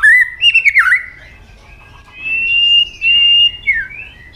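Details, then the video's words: A White-rumped shama sings in fighting style: a loud warbled phrase with a dipping slur, a pause, then long sustained high whistles that waver slightly before fading. "chòe lửa chuyền hót đấu nết đập tạch đuôi chắc,kích chòe lửa hót đấu chớm lửa"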